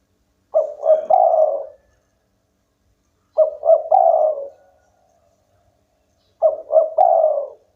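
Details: Spotted dove of local stock in strong song: three cooing phrases, each two brief coos leading into a long slurred falling coo, spaced roughly three seconds apart in a quiet setting.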